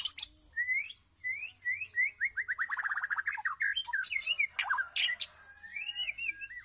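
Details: White-rumped shama in full song, a rapid varied run of clear whistled notes, descending slurs and sharp chips, with a fast series of rising trills near the middle and high squeaky phrases toward the end; little background noise.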